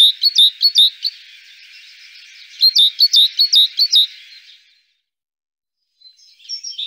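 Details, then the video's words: Great tit (Parus major) singing rapid high, rhythmic note pairs in two bursts over a faint steady hiss. A brief softer phrase follows near the end. "Great tit (Parus major). Singing birds"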